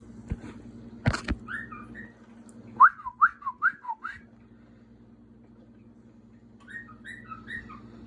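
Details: Pet bird Picasso, perched on a door, whistles a short run of four rising notes with softer chirps before and after; a background hum and a couple of clicks are audible.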